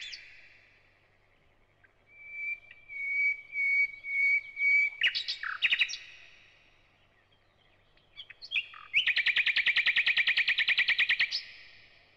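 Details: A thrush nightingale sings a drawn-out series of steady whistled notes, a few sharp clicks and slurs, then a loud dense rattling trill of rapidly repeated clicks lasting over two seconds, alternating whistles and clicks.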